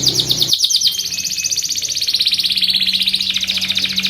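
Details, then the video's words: Canary in sustained song for training and luring other canaries: an unbroken, fast rolling trill of high whistled notes, rich and buzzy, with a faint low hum behind. "kenari gacor panjang SUARA BURUNG KENARI ampuh buat MASTERAN KENARI & PANCINGAN KENARI"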